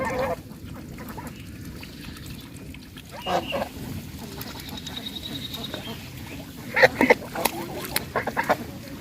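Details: Bangladeshi goose giving loud sounds: a few scattered nasal honks early on, then a quick burst of harsh, clipped calls near the end over a steady low background rumble.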